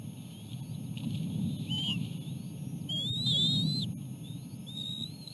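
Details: Osprey at the nest during a fish feeding, with chicks being fed by the parents; a few brief, thin rising whistles, the strongest in a short burst near the middle, over constant low rumble.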